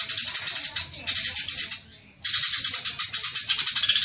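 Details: Rapid, harsh, high-pitched chattering of a green magpie, used as a lure to trigger long chattering, delivered in pulsing runs with a short lull in the middle.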